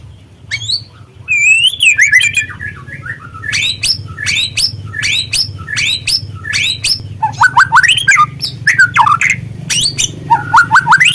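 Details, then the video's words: White-rumped shama, spotted form called murai trotol, used as a lure to excite a bird into singing: long varied run of loud whistles, sweeping slurs and sharp chips, phrases packed densely over a constant low hum. "pancingan murai trotol agar terangsang untuk bunyi"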